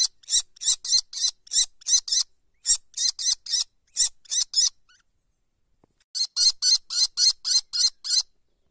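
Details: Kestrel nestlings producing a rapid series of noisy, scratchy screeches, roughly three per second, in uneven groups, with a brief silence midway before another steady run of harsh rasps.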